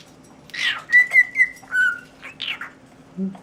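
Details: A pet cockatiel whistles the tune "Tequila" in clear, steady notes broken by brief raspy chatter.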